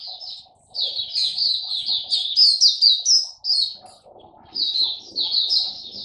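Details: Kept white-eye in full song on 3 November 2022, day fifteen of a song-boosting supplement trial: rapid, high twittering warble in tight runs of sharp chirps, pausing briefly near one and four seconds, with faint low background noise.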